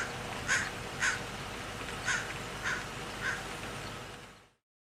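A crow gives five harsh, rasping caws at an uneven pace, roughly one every half-second to second, over a faint steady background hiss.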